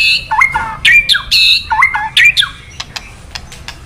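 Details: Male white-rumped shama (murai batu) stirred by crackling 'kretekan' playback to sing its 'isian' phrases: two matching runs of slurred whistles dipping and rising, followed by a string of sharp dry clicks, indoors.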